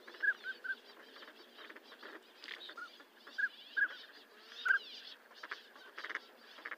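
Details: Northern pintail (Anas acuta) gives short, clear, mid-pitched whistled notes, single or in quick pairs, scattered through the clip over a rough, rustling background.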